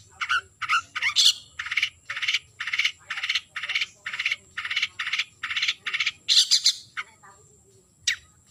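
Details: Long-tailed shrike calling a rival: steady grating, buzzy calls repeated about three times a second for around six seconds, a louder screech, then a pause and one last rasp.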